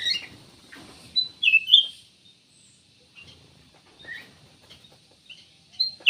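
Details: Black-naped oriole song. Brief bright whistles and chirps come in scattered bursts, with one louder falling phrase early on. Quieter notes follow over a soft background hiss.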